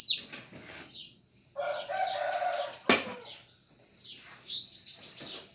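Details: Bananaquit song: high, thin whistled notes and rapid sweeping trills in a quick run, with a sharp click near the middle and a brief lower, harmonic buzzy note before the final high trill.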